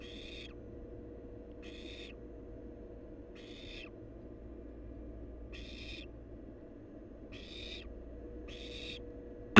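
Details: Wild barn owl nestling at the nest giving six evenly spaced harsh hissing screeches, one about every 1.6 seconds, ending with a sharp click.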